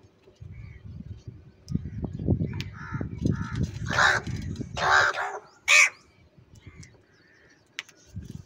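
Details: Crows fighting over food and eating cheese: a few harsh, hoarse caws near the middle, one short sharp call after them, over steady low rumbling and thumping noise.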